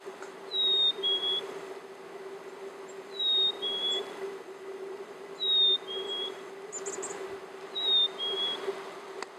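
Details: Black-capped chickadee in Union County, Pennsylvania, 15 February 2015, whistling its clear two-note fee-bee, the second note lower, four times about every two and a half seconds over a steady low hum.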